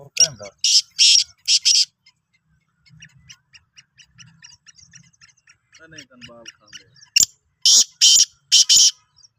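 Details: Sindhi black francolin recorded 16 March 2023: loud, harsh, buzzy bursts in short clustered series open and close the recording, with faint voices and scattered softer notes in between.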